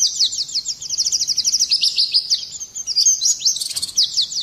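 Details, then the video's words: Oriental white-eye song, rapid and continuous, for provoking other birds into singing; thin, high twittering notes run together in a quick trill with a brief rougher burst near the end. "Pleci gacor ngerol nembak kasar cocok mancing emosi"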